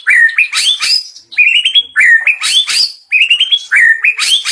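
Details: Loud, varied phrases from a white-rumped shama unloading rich isian fill-ins on its first outing: jumbled rising whistles and sharp chips in bursts of about a second, separated by short gaps.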